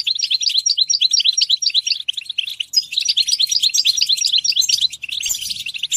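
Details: European goldfinch song: a quick run of evenly spaced tinkling chirps, about two per second in clusters, building into a busier jingling twitter with a short burst of noise near the end.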